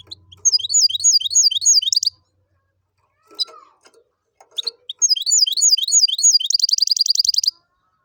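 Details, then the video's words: Goldfinch and canary hybrid in the "tibetano" and "tuitero" style sings two phrases of high slurred twittering notes, each ending in a fast ringing trill, with a quiet pause and faint clicks between them. "Jilguero híbrido tibetano y tuitero y canario"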